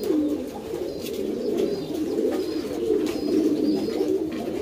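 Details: Indoor chorus of pouter pigeons, an ornamental domestic rock dove breed: low, throaty coos run continuously and overlap, swelling and easing in waves with no pauses.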